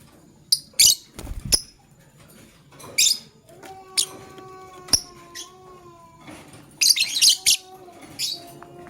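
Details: Male lovebird choosing a partner gives scattered shrill, scratchy chirps and a few drawn-out thin whistles. Several low thumps are heard near the start.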